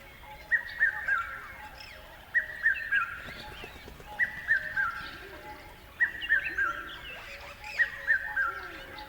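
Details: A bird repeats a short three-note whistled phrase about every two seconds, each note slightly lower than the last, while other birds twitter faintly behind.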